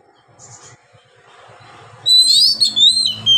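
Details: Oriental magpie-robin (kacer) in long-breathed ngeplong singing style, meant to stir silent birds; after two seconds of faint low hum, a loud burst of high whistled, sliding notes with quick twittery flourishes.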